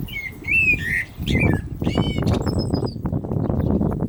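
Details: Common blackbird song heard during the call to prayer. It opens with mellow whistled phrases, then a brief buzzy, rattling note and a thin high twitter, all against dense low rumbling noise.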